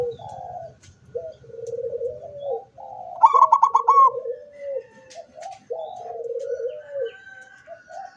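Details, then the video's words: Zebra dove recorded 24 September 2023, singing with beak open: a series of low, drawn-out rolling coos, then one quick run of about seven sharp, ringing pulses, then more low coos. "suara perkutut sampai buka paruh"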